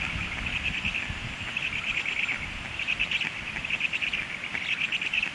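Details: Hungry stork chicks begging after a parent flew off: thin, high chirping in uneven clusters about half a second long with short gaps, steady throughout, over low wind rumble.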